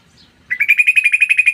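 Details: Sooty-headed bulbul lure call in the rapid 'ropel' style: after near silence, a fast rattling burst of about eleven bright, even chattering notes at a steady high pitch, roughly seven per second, ending abruptly.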